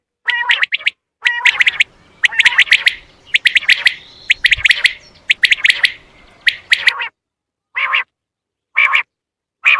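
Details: Quail calls made for quail hunting, a dense run of sharp high chattering clicks and short squawky notes, thinning into separate bursts near the end.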